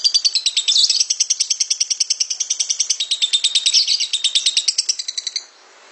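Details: Lovebird long ngekek trill recorded as a training master for other lovebirds: a rapid, shrill, chattering rattle of high notes, sustained for over five seconds, then stopping abruptly.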